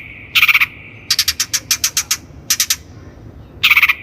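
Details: Long-tailed shrike (cendet) lure recording for training untrained birds: four bursts of rapid, buzzy, pulsed notes, each a tight series of harsh rasps lasting about a quarter to a full second, separated by short silences.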